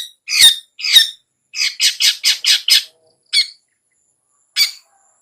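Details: Cendet, the long-tailed shrike, calling 'ngetet' as a lure: two loud harsh squawks, a quick run of five rasping notes, then two spaced single squawks.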